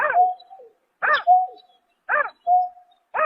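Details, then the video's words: Greater painted-snipe calling at night, March 2024: each arched, ringing note is followed by a drawn-out level hoot, the pair repeating about once a second in a quiet setting. "Tiếng Chim Nhát Hoa Đánh Đêm Vụ Tháng 3 Năm 2024"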